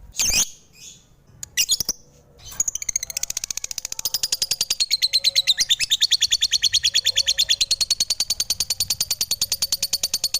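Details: A few harsh lovebird shrieks open, then a long, fast series of high, buzzy chirps builds up and runs on steadily, around three per second.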